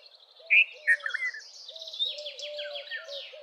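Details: Red-vented bulbul uttering a brisk phrase of two or three loud, liquid notes. A rapid, buzzy, descending trill from another bird follows, with low repeated whistles beneath.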